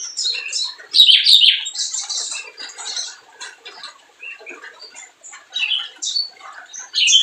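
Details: Lively spiderhunter song, played as a lure to provoke reluctant birds to sing: busy, high-pitched twittering and sharp squeaks in uneven bursts, with a loud shrill outburst near the start and again at the end.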